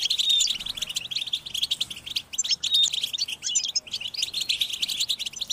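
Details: European goldfinches in a group chorus of mating and readiness calls used to stimulate captive males to sing: dense, high, tinkling twitters and chirps running continuously, with short bright whistled notes cutting through the chatter.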